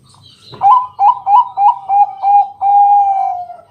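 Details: Loud local zebra dove, Bangkok type, singing at night to coax other doves into song; six quick rising coo notes about a third of a second apart, then one long sustained whistled note.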